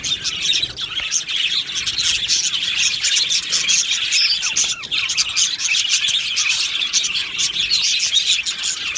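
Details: Many budgerigars chirping and singing in an aviary, producing a bright, crowded stream of quick tweets and warbles that runs on without a break.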